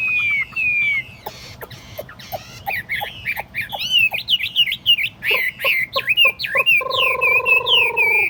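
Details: Caged tame Chinese hwamei, kept in a portable table cage and said to be without faults, mixes clear whistles with scattered clicks, then builds into fast, tumbling warbled whistles and ends on a rough nasal note.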